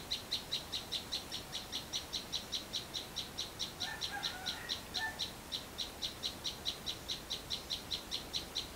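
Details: Sunbird in a home garden pouring out a steady train of thin, high chip notes, over two per second. Brief lower twittering from another bird appears around the middle.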